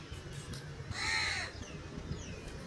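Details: Crow calling for food: a single harsh, drawn-out caw about half a second long, rich in stacked harmonics, set against a low rumbling background.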